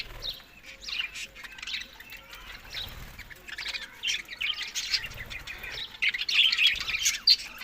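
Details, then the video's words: Budgerigars in summer, May to June, while eating, in Larkana, Sindh: soft, scattered high chirps and squeaky warbles, faint and irregular, with low background rumble. "Budiges Beast Summer Food Eating May to June Good Health Parrot"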